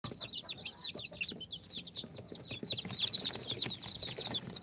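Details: Newly hatched incubator chicks, day four, a mix of Sultan, Golden Sebright, Cochin and booted breeds, chirping busily: dense, high, downward-curving peeps overlapping throughout, with scratchy shuffling sounds beneath.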